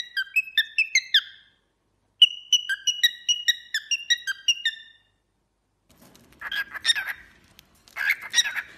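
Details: Cockatiel whistling in two rapid sequences of clear, falling chirp notes, followed by rougher, scratchy chatter in a small room.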